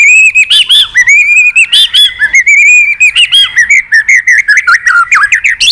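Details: White-rumped shama, a wild-caught forest bird used in song contests, singing a varied song: clear whistled notes near the top, then a quick run of sharp, bouncing, rapidly repeated phrases.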